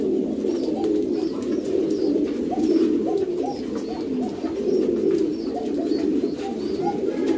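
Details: Pouter pigeons, a domesticated fancy breed of rock dove with a large inflatable crop, kept in a loft: a dense chorus of low, overlapping coos with frequent soft clicks and rustles.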